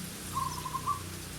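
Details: Captive decoy zebra dove in a lure cage in a tree about 1 km from Borobudur, Java, cooing continually to attract a wild dove calling nearby: soft short run of mid-pitched coos over low rumble.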